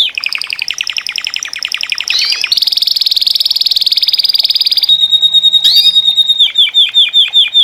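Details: Group of Saffron Finches (Sicalis flaveola) singing together in captivity, with dense buzzy trills, a long steady rattling passage, then a sustained high note and a run of repeated looping chirps.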